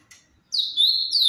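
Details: Brief opening of a Paraná-style song from a captive-bred Ultramarine grosbeak: a soft tick, then a sustained clear whistled phrase that dips and rises.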